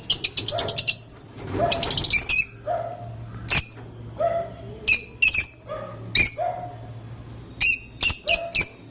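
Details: Sweet calling of a lovebird: a fast rattling run of high chirps, then spaced shrill squeaks and shorter tweets, some paired, over a steady low background hum.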